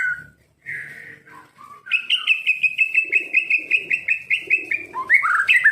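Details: Kept white-rumped shama of the Medan type, a bird its owner says will not imitate, sings soft varied whistles, then a fast run of bright repeated notes at an even pitch, ending in louder slurred phrases.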